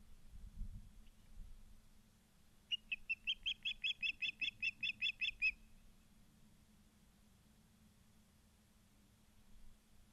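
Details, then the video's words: Brief run of high, sharp chirps lasting about three seconds amid rumbling background noise, from the osprey nest camera at Charlo, Montana, September 2023. "Charlo Montana Ospreys"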